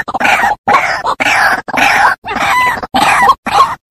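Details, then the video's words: White-breasted waterhen lure recording: loud, harsh, croaking calls repeated in quick succession, roughly two per second, each a rough nasal burst with short gaps between, no other sounds. "Suara pikat ruak ruak"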